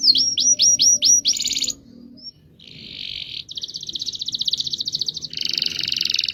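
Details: Canary's long rolling song: repeated hooked whistled notes, then several buzzy rattling trills of different pitch, rolling on rapidly.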